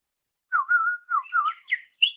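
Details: On a songbird-training master recording, a greater green leafbird gives a brief phrase of slurred, fluty whistles that climb step by step to a higher final note.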